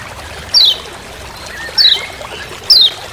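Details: Three high, thin, downward-sliding chirps spaced about a second apart from a lemon-bellied white-eye giving its 'ciak ciak' call in forest on Lombok.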